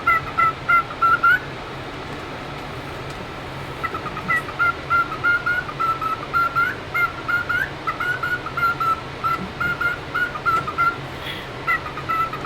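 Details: A cockatiel hatched November 2023, recorded up close, gives bursts of clear, whistled chirps, several each second, with brief pauses between runs.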